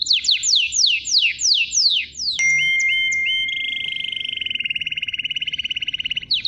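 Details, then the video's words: Canary song that opens with a rapid series of steeply falling whistles. A few rising notes and a steady held tone follow, then a long, fast, even trill rolls on for several seconds. "KANARYANIN MUHTEŞEM ÖTÜŞÜ"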